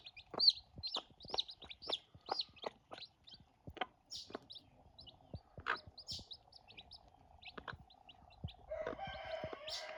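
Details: Newborn farm chicks at their first meal give scattered high peeps that thin out over time, mixed with frequent sharp clicks and taps, and a brief harsher, buzzy sound near the end.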